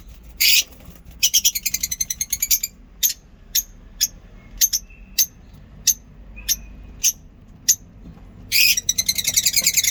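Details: Lovebirds singing in a home mini zoo: rapid buzzy chatter opens, followed by a steady series of short clicking chirps about every half second with two faint level whistles, then dense chattering returns at the close.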